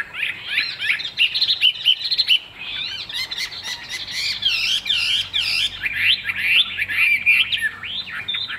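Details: A caged Chinese hwamei with a fig-leaf-shaped tail gives loud, varied song: looping whistles, quick rising and falling slurs, and bursts of sharp buzzy notes in uneven phrases.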